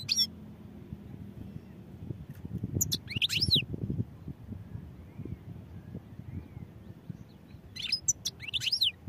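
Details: European goldfinch song in two short bursts of high twittering notes with quick rising and falling sweeps, separated by several seconds of low murmuring background noise.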